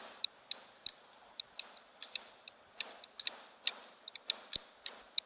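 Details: Blacksmith lapwing distress or alarm call at an African waterhole, possibly reacting to a nearby monitor lizard to protect chicks or nest; sharp metallic clinks repeated irregularly about once or twice a second, heard from a distance.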